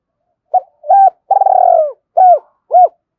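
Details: Decoy spotted dove calling wild doves to come and fight. One phrase: two short coos, a long vibrating, downward-sliding purr, then two clear arched coos, all mid-pitched and clean against silence.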